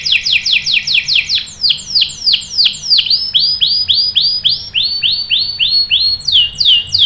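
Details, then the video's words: Canary lure song to coax other canaries into song; loud chains of downward-sweeping whistled notes, roughly three per second, shifting pitch and pace between phrases. "PANCINGAN KENARI GACOR cuit cuit bikin NYAUT ikut BUNYI NGEROL PANJANG ¦ CANARY SINGING"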